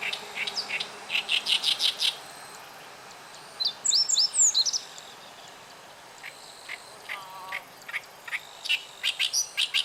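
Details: Oriental Reed Warbler at a river, 29 June 2013, a site where none had been heard for two years: rough chattering phrases of rapid repeated notes, interrupted by bright whistled slurs and a low warbling trill.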